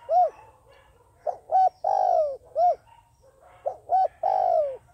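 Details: Dove used as a trapping lure, cooing in a repeated phrase of a short hoot, two quick notes and a long downward-sliding coo, heard twice in five seconds.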